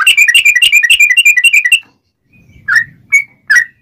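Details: Sooty-headed bulbul singing ngobra style, clear and rapid, meant for tutoring and luring wild birds; a fast rolling trill of bright notes for nearly two seconds, then silence, a low rustle and three separate whistled notes.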